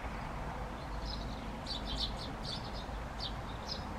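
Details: Great tit, a bird that roams south in winter and visits feeders: a cluster of quick high chirps and short twittering notes in the second half, set against constant low background rumble.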